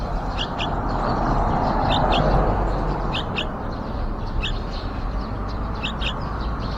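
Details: Yellow-vented bulbul nest outside a window, young nearly fledged: evenly spaced pairs of quick high chirps recur through the clip above a broad low rumbling noise.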